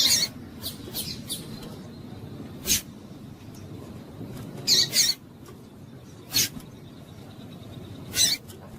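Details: Female double-collared seedeater calling to stimulate males: short, sharp, high chip calls in irregular bursts, some doubled, about seven across nine seconds, over a low background hum.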